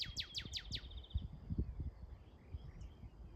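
Northern cardinal sings five quick, steeply falling whistles in about a second, like laser zaps, followed by low rumbling background noise.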